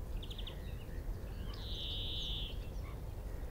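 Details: Male European greenfinch singing in a tree at Minsmere, about 25 m away, filmed with a phone, telescope and shotgun mic: a quick trill of repeated notes, then a long buzzy wheeze around one second, with faint twitters and low rumbling background noise.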